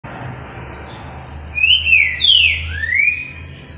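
Green-winged Saltator giving three loud, rich whistled notes in quick succession, slurring up and down, over a low steady hum.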